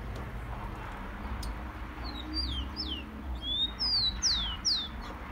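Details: Rufous-collared sparrow, known as tico-tico, singing to warm up a kept bird. A softer phrase of falling whistles is followed by a louder one: a rising note and three clear, downward-slurred whistles, over a steady background hiss.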